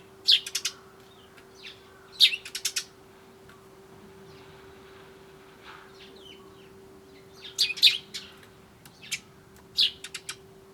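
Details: Eurasian tree sparrows arriving at a bird feeder on 20 January 2013 give short, bright chirps in quick bursts of three or four, pausing a second or two between clusters, over a steady low hum; a turtle dove sits nearby in a pine.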